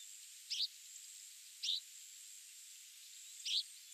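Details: Australasian pipit, a passage migrant on spring and autumn migration at Agarizaki, Yonaguni Island, giving three brief, high, sharp notes about a second or two apart over a steady background hiss.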